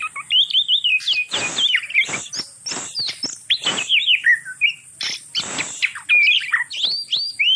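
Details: Oriental magpie-robin mating call, used to stimulate other magpie-robins to breed: bright whistled phrases rising and falling, with repeated short notes and several loud, harsh rasping bursts between them.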